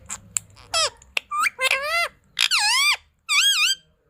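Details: Parrot making a quick string of squeaky, harmonic whistles, some falling and some wavering, in short bursts that end in a longer warbling note.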